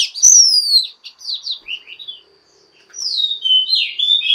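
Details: Female Oriental magpie-robin, singing to stimulate males, gives a drawn-out descending whistle, softer warbled notes, a short gap, then renewed sliding whistles at moderate volume.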